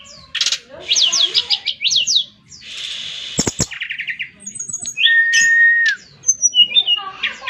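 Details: Brown-chested jungle flycatcher in lively song: quick trills of rising notes, a rasping burst, then a long level whistle ending in a downward slide. Rapid chirps follow.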